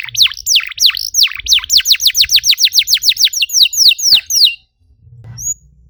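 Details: Lure song of a canary for triggering singing in other canaries: deep swooping whistles lead into an even series of quick down-slurred notes, about four per second, ending abruptly before a brief faint chirp.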